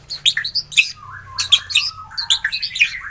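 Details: Morning lure song of a white-rumped shama, meant to set captive shamas singing: bright, varied whistled notes and quick chirps in short bursts, with a few lower slurred notes between them.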